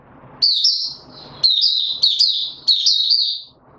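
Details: Male white-eye kept as a songbird, being pushed into form with its opening song, recorded 31 December 2021; four bursts of high, rapid twittering warbles, each about half a second, spaced roughly one second apart, with faint low rustling between.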